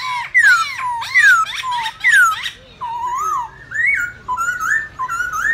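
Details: Black-throated laughingthrush singing its wild-style forest song, played to train young birds: loud descending whistled slurs repeated about once a second, then a run of shorter rising and level whistles, rich in harmonics.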